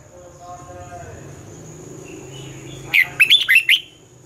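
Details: Morning song of a red-whiskered bulbul used to stimulate and train captive birds: low murmuring background noise at first, then a single crisp phrase of five quick, bouncing whistled notes near the end.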